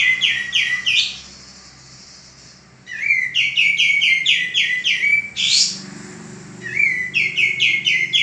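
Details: Male common iora in full song for training cage birds: phrases of rapid, bright down-slurred chirps broken by short silences and a sudden piercing high note, with the chirp runs resuming after each break.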